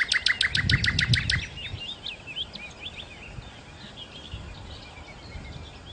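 A common nightingale opens with about ten fast, hard repeated notes, then breaks into varied high whistles and twittering phrases over a low background rumble.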